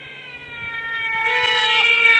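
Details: Trumpeter Hornbill at Djuma Game Reserve, northeast South Africa, on an early morning at dawn, about 11°C, 13 Aug 2016. It gives a drawn-out, nasal wailing call that swells in loudness like a crying baby, played back from a recording.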